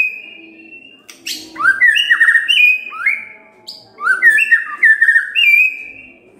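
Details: White-rumped shama morning song intended to trigger singing in silent birds: a long steady whistle opens, then a rasping burst and several bouts of looping, sweeping whistles separated by short gaps.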